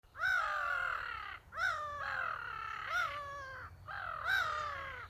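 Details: Several gulls calling back and forth, recorded 27 May 2023: four long, drawn-out harsh nasal cries, each about a second long, with slightly arched tones, separated by short pauses. A low steady rumble runs underneath.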